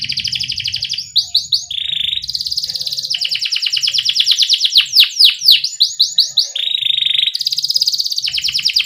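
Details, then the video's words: Canary singing a lively rolling song with pauses, used as a lure to get young canaries singing: fast high trills in tours, switching between buzzy rolls and rapid descending sweeps, with a low hum underneath. "Criit CUIT Cuit Kenari GACOR Ngerol Jeda Buat PANCINGAN Kenari PAUD Supaya Cepat BUNYI GACOR"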